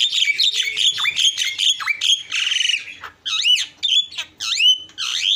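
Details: Isian song of the Javan myna: rapid rasping chatter and a buzzy harsh phrase, then looping whistled notes that swoop up and down, each separated by short pauses.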